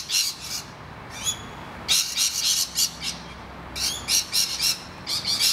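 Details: Rainbow lorikeets in distress as noisy miners raid their nest hollow: rough, grating screeches in irregular bursts, mixed with a few thinner, downslurred calls.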